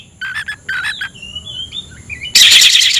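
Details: Oriental magpie-robin song meant to call a rival to fight, with warbled lower notes and a sequence of thin sliding whistles, cut off by a loud harsh buzzing rasp.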